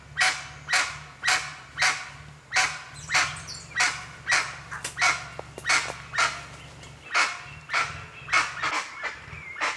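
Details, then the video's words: Guan calling in the wild, recorded in nature: a long run of loud, harsh, honking squawks repeated about twice a second, with the rhythm loosening midway and a faint whistled note near the end. "O CANTO DO JACU"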